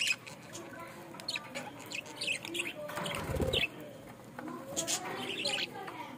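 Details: Pet budgerigar in Bangladesh giving lively chirps and warbled twitters in short bursts, with a brief rush of wing-flapping or rustling noise midway.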